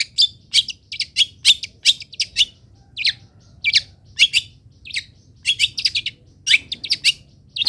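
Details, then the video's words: Long-tailed shrike song meant for teaching other birds: a steady series of sharp, scratchy chirps in irregular clusters, with a faint low hum underneath. "MASTERAN CENDET ANTI GAGAL - CENDET MANAPUN IKUT BUNYI DENGAR INI"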